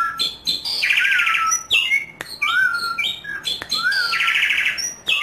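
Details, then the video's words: Asian pied starling in energetic, loud song, used as a lure recording to get other starlings singing: a phrase of clear whistles, a harsh buzzy burst and slurred falling whistles, then the same phrase repeated about three seconds later. "Jalak Suren Gacor Keras || PANCINGAN JALAK GACOR AMPUH"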